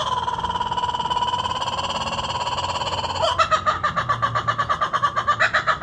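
A laughing kookaburra gives a long drawn harsh note, then breaks into a rapid, rhythmic cackling laugh of about six notes per second.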